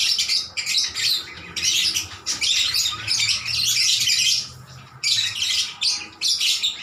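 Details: Lovebirds trading calls in a lively, persistent chorus; bursts of shrill, scratchy chirps pour out in runs of one to two seconds, broken by short quiet breaks.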